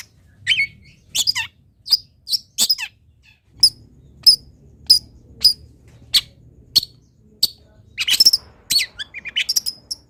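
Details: Long-tailed shrike song used as training audio for other birds: scattered sharp high chirps and squeaky notes, some with buzzy trailing tones, spaced irregularly roughly every half second, with a faint low hum beneath.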